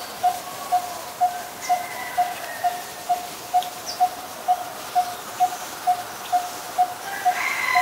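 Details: Coppersmith barbet, a very common resident, calling at Ubon Ratchathani, Thailand, on 23 January 2020: a hollow, even note repeated steadily about twice per second throughout, with faint other birds and insects in the background.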